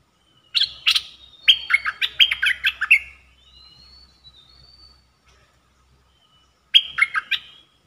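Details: Caged red-whiskered bulbul used as a trapping decoy, singing 'dok taeng' style phrases, recorded 1 September 2021: a rapid burst of bright, warbling chirped notes lasting over two seconds, a pause with faint thin whistles, then a shorter repeat phrase.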